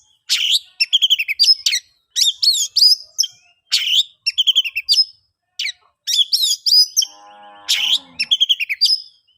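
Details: Energetic oriental magpie-robin song meant to coax quiet birds into singing: repeated bursts of sharp whistles and rattling chatter roughly every second or two, with a brief low buzzing noise near the end.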